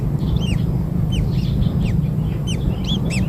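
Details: Begging from newly hatched kingfisher chicks fed black insects: several thin chirps with a quick rise and fall, some overlapping as more than one chick calls, against a constant deep hum.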